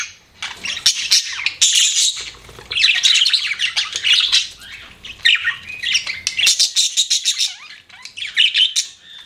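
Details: Pet budgerigars chirping in busy bursts of harsh squawks and rapid twitters, rising and falling in loudness, with soft low knocking sounds underneath.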